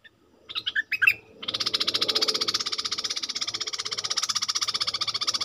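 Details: Decoy bulbul calling at wild birds, giving a few quick warbled notes, then a long, dry, buzzing rattle of rapid even pulses, close and loud, with faint low background noise.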